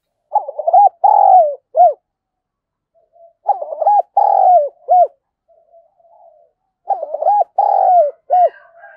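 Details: Spotted dove call with a 'thổ' voice style, used as a decoy to provoke fighting; three phrases roughly every three and a half seconds, each a quick stutter of notes, a long deep coo and a short final note.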